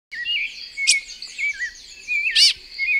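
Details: Cherrie's tanager, common in a yard in Puerto Armuelles, Panama, gives a busy, high chatter of squeaky, warbling chirps, broken twice by a sharp, explosive note.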